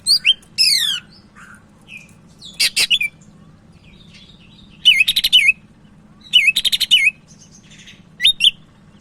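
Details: Sumatran leafbird from Medan in full lively song as a tutor bird: descending whistled runs, harsh rattling bursts and repeated looping trills, delivered in spaced phrases over a faint constant hum.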